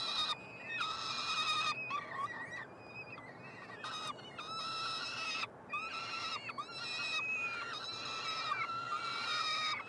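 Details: Feeding of three peregrine falcon chicks, nestbox at the University of Montreal, Canada, 21 June 2022: choppy, raspy squeals in quick bursts, short notes mixed with longer drawn wails, pauses scattered throughout.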